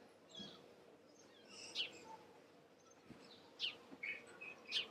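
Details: House sparrow (Passer domesticus domesticus) at Le Mont-Saint-Michel, France, in May 2013: short, sharp, high chirps, each dropping quickly in pitch, given singly at irregular intervals over faint steady background noise.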